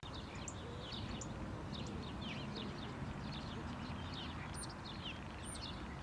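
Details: A Common Starling, in spring just back from wintering in the Mediterranean, sings mimicry from atop a hedge on a grey day, seemingly copying last year's Golden Oriole song: a rambling medley of whistles, clicks and chatter with sharp rising whistles, over low wind or traffic rumble.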